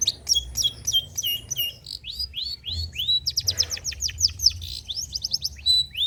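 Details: A long-tailed shrike delivering varied old-style song material meant to stimulate and tutor songbirds: fast series of bright whistled upslurs and downslurs, a short harsh burst midway, then repeated clear whistles.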